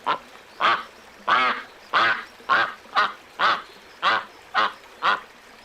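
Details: Drawn-out, hoarse quacks from little ducks arrive about every half second, ten in a row, each with a rough, buzzing tone.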